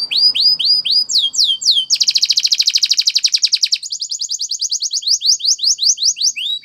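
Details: Male-style Timbrado canary training song from Spain's breed: rising swept whistles give way to a loud, fast, bubbling trill and then spaced metallic chirps.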